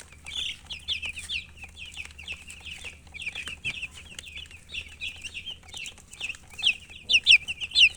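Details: Several baby chicks chirping: high, sharp peeps that slur downward, about two per second, overlapping and growing louder and shriller toward the end, over a faint low hum.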